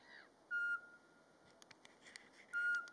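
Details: In Latvian woodland in March, a Eurasian pygmy owl gives its mating song by day: two flat, pure whistles two seconds apart, with soft chirps from other small birds between them.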